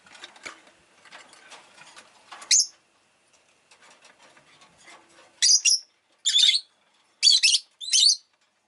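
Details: Rosy-faced lovebird kept as a pet, chirping: after a stretch of faint scratchy rustling, five loud harsh high chirps come in pairs about a second apart; light background noise.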